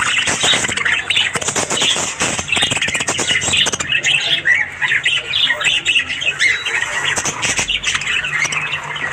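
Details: Australian budgies chattering in the morning: continuous overlapping warbles, squeaks and harsh squawks from several birds, busy and unbroken, with scattered clicks throughout.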